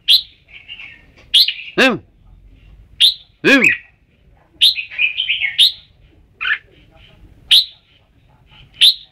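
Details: Red-whiskered bulbul singing short, bright warbled phrases and sharp chirps spaced a second or two apart, with two loud descending whooshing sweeps cutting in between.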